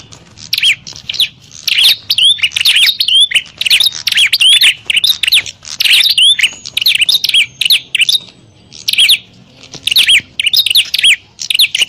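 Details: Bar-winged prinia fighting call used as a lure for wild prinias: dense bursts of sharp, high chirps and rising whistled notes, tumbling rapidly in noisy runs with short pauses, over a faint low hum.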